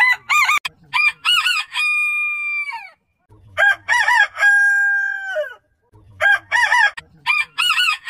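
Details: Three rooster crows spaced a few seconds apart, each a series of wavering, rapid opening notes followed by one long, level, piercing tone that drops sharply at the end; light low rumble between.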